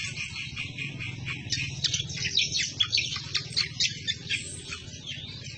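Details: Cucak kombo, the green leafbird, in 'ngomel' chattering song meant for training other birds; busy high, thin twitters and quick squeaky notes, growing more emphatic midway, above a constant low background hum.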